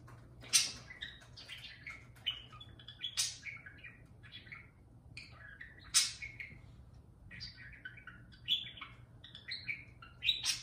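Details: Serenade to a beer can by a pet parakeet: rapid twittering warble mixing buzzy notes and brief whistled slurs, occasional louder harsh chirps punctuating the flow.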